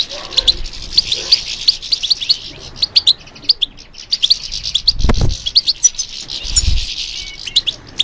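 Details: European goldfinch singing to stimulation, a rapid chatter of high chirps and tinkling trills, interrupted by two low thuds and a brief rustle midway.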